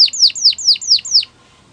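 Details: Six loud, clear, falling whistled notes evenly spaced about a fifth of a second apart from a yellow canary singing in the morning.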